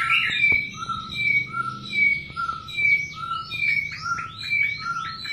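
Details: Mating white-rumped shama, repeating clear paired whistles about once a second, then ending in quicker upward-sweeping notes.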